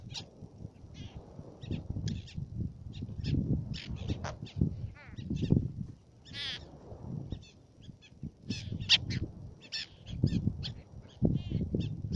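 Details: Black-naped tern, Baa Atoll Fares, Maldives, giving sharp, grating high calls in quick irregular bursts throughout, some drawn out and buzzy, with a constant low wind roar beneath.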